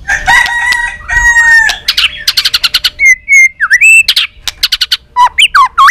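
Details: Fighting song of a white-rumped shama being provoked: long drawn buzzy notes, then rapid repeated clicks, a level whistle and swooping whistled phrases.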